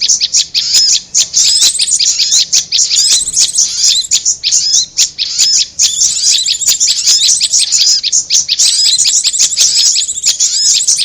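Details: Lure recording of prinia with korlap: energetic, continuous high twittering and chipping, with small gaps between dense clusters of notes.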